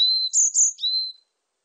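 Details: Short part of varied tit song, a low steady whistle, two brief high notes, then another lower drawn-out whistle fading out.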